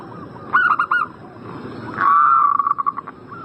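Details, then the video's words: Zebra dove (perkutut) prompting call for a bird in breeding condition: a burst of four rapid clipped coos, a short pause, then a long drawn coo breaking into a fast pulsing trill. "Pancingan burung perkutut Agar Cepat Nyaut gacor Juaranya pancing birahi langsung nyaut emosi"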